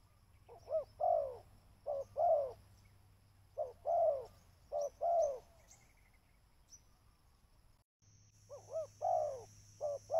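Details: Spotted dove used as a lure call, repeating low hollow coos around 500-1000 range in short paired phrases, a brief note followed by a longer falling coo, in bursts with pauses; faint steady hum underneath.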